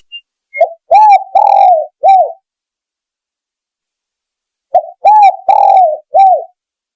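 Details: Spotted dove lure call: two cooing phrases about four seconds apart, each a short soft note followed by two drawn-out arched coos and a clipped final coo, with silence between phrases.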